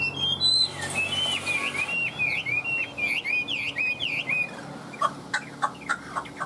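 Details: Chinese hwamei kept in a cage and singing energetically: a quick series of repeated slurred, bouncing whistled phrases for about four seconds, followed by separate sharp, clipped notes spaced roughly every quarter to half second.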